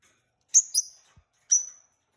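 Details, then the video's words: Peach-faced lovebird, part of a newly kept couple, giving a shrill double chirp followed half a second later by a single high piercing chirp. "Peach-faced Lovebird Singing & Chirping Sounds"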